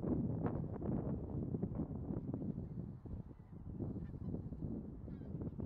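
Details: A flock of bean geese gives dense, overlapping low honking and gabbling, many calls tumbling over one another without a break.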